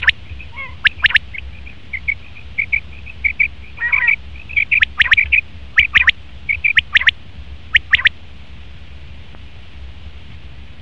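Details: Male common quail sharp triple notes mixed with a steady series of thin, high whistled chirps and a few low rasps from other sounds.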